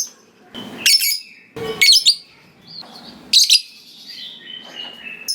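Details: Lovebird, a fighter bird in full voice, giving a few loud, harsh, high chirps in short bursts separated by quieter gaps, with faint room noise underneath.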